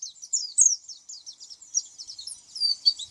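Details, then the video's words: Oriental white-eye song as a dense, continuous high warble of blurred, overlapping chirps, softer and less separated, with a few thin whistles toward the end. "SUARA kicau pleci"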